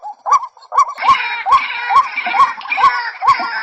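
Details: A female white-breasted waterhen calls a male with evenly spaced rising squawks about twice per second, while a harsher, wider rasping sound joins in from the second note onward.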